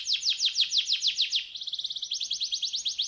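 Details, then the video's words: Canary master song meant to stir a lazy bird into song: a trill of steep descending notes at about six per second, then a quicker, thinner rattle and renewed falling notes. "Kenari Masteran Paling di Cari Ampuh mengatasi malas Bunyi"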